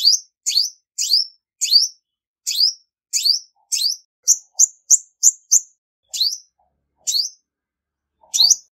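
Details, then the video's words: A female olive-backed sunbird sings: high buzzy upswept chirps, first in an irregular series, then a quick run of shorter clipped notes, then slower chirps again; no other noise behind. "Tiếng chim Hút mật 5 màu mái không tạp âm | Olive-backed Sunbird Female"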